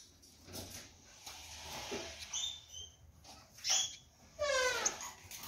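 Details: A caged pair of Gouldian finches pecking at jute placed in their nest that morning; thin short whistled calls, then a longer wavering, nasal call with stacked overtones near the end, amid pecking and rustling.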